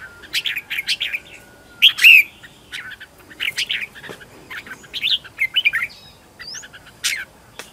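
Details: Home-trained decoy red-whiskered bulbul in competition singing mode, meant to attract wild bulbuls: clusters of quick chirps broken by a loud, liquid, rolling phrase, then more scattered bright notes and a thin upslurred whistle.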